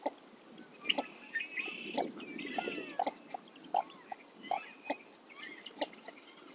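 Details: Northern shoveler giving low, hollow clucking notes repeated roughly once a second, with thin high whistles and twittering songbirds in the background.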